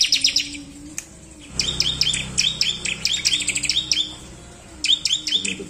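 A bar-winged prinia sings quick bursts of high, sharp chirping notes, fired in rapid runs with brief pauses, over a faint low hum.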